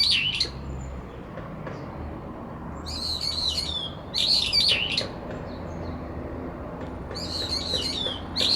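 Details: Two brown-eared bulbuls contest a cherry-tree territory in late September, the resident calling to drown out the other; repeated strident, jerky high phrases in four bursts over a low rumble.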